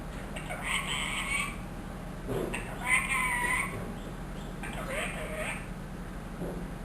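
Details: One-year-old trained ringneck parrot talking, mimicking words and a cat's meow; several short harmonic, voice-like phrases with a bright, nasal tone, strongest mid-clip, over steady low background hum.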